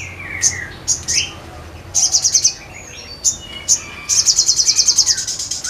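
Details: Crimson sunbird singing lively: very high, thin chirps and downslurred whistles, then a fast buzzy rattling trill of rapid repeated notes near the end, with a quiet background.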